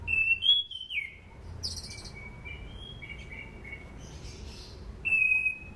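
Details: Orange-banded thrush, recorded as a training lure: a sharp rising-then-falling whistle followed by softer sustained whistled notes, and another clear whistled phrase near the end, with low hum behind.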